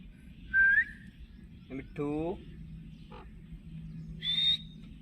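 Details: Green talking ringneck parrot, a household pet sharing space with an Alexandrine parrot: a rising whistle, then a throaty, harmonic, voice-like syllable with falling tones, a brief click and a loud flat high screech.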